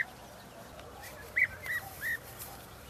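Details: European bee-eaters (Merops apiaster) at Balta, May 2018: one gives three short, rolling, mid-pitched calls about a third of a second apart over a faint, steady background hiss.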